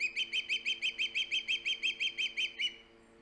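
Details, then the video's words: Osprey calling at the nest on Hog Island, 3 September 2019, live nest camera: a loud series of about fifteen sharp chirped whistles repeated rapidly, roughly five per second, then stopping; faint steady hum underneath. "Halley, loud and proud! Hog Island Ospreys"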